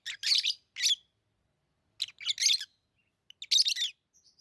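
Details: Pet lovebirds calling with loud, rasping chirps in three bursts separated by about a second of silence, plus a few faint high squeaks at the end.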